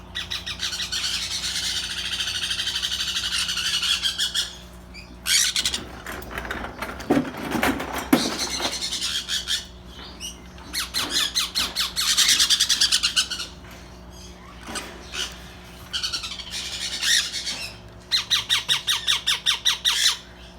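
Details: Young sun conures beginning to feed themselves call almost nonstop. Dense, grating squawks come in fast rattling series, with a noisy broadband rustle in the middle and quick pulsed trains toward the end.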